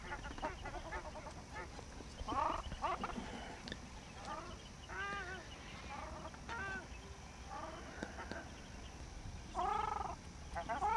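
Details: Group of Indian skimmers, Chambal River, India, 28 November 2007: repeated loud nasal barks with arched, slightly rising-falling tone, several birds answering each other in scattered bursts, clearest at the middle and end, low continuous rumble beneath.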